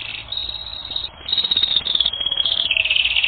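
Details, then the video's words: Canary on a training recording, singing a high, buzzy rolled trill that stops and restarts in several sections, with a slight drop in pitch toward the end. "Canary Training Record N°10"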